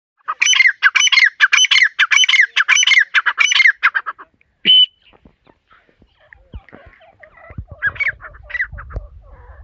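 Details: A female partridge (teetar) gives a rapid series of loud, harsh, grating squawks, about two per second, then falls quiet; softer calls and rustling follow.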